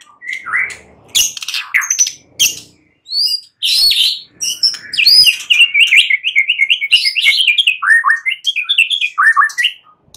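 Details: Night song of a white-rumped shama used as a lure: loud high chirps and sharp notes, then a fast run of repeated rising trilled phrases, rich and varied, with no other sounds.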